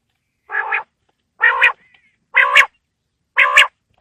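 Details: Quail (bater) call for winter evenings: four rasping, nasal notes evenly spaced about one second apart against silence.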